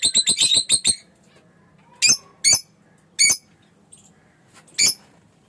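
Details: Fischer's lovebird: a quick run of six shrill, harmonic chirps, then single sharp squeaks spaced about a second apart.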